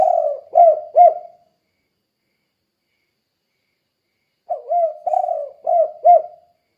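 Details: Spotted dove luring other doves with a lively 'kuk 2' call: the last two coos of one phrase, then a long silence before a new run of about five low, rounded hooting notes.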